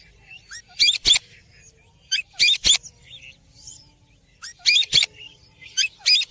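Rose-ringed parakeet giving harsh, high, grating screeches in quick pairs, repeated about every second and a half, against a quiet background.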